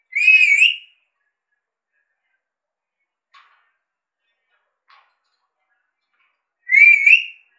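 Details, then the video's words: A pet talking Alexandrine parakeet whistles: two short, warbling whistles, each rising and wavering, about six seconds apart, with faint soft clicks in the quiet gap. "Talking Prrort mithu ka seety bajana, vicel voice mithu indian Alexander parrot"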